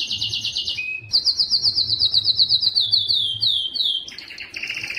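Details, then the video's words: High rolling trills from a singing yellow canary, about four notes a second in a rhythmic run of downslurred chips, followed by buzzy rattles and sharper flourishes. "yellow canary singing"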